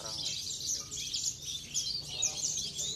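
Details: Javan bush lark kept for song contests in Cilacap, giving short repeated bursts of thin, high twittering notes in rapid succession against a steady low background noise.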